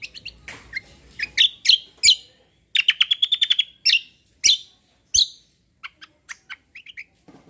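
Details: Cucak kombo songbird delivering kecial kombo roll: bursts of quick high notes, a fast rolling trill, loud sharp chips, and a few soft chirps at the end.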